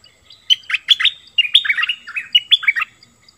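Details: A bulbul pours out a rapid string of gurgling, whistled notes that swoop up and down, delivered in close, lively bursts with little pause.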